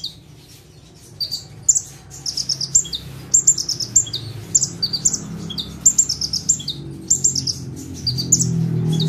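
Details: Bar-winged prinia, known locally as ciblek or prenjak tebu, singing in energetic gacor full-tembakan style while perched in one spot: bursts of high, sharp chirps with bright descending notes, repeated in quick volleys, over a low background hum.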